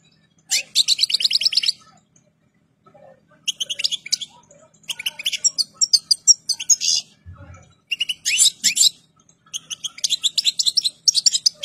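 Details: Goldfinch in full breeding condition and complete plumage singing a lively run of fast liquid twitters, buzzy trills and tinkling notes in several phrases separated by brief pauses, with a low electrical hum behind.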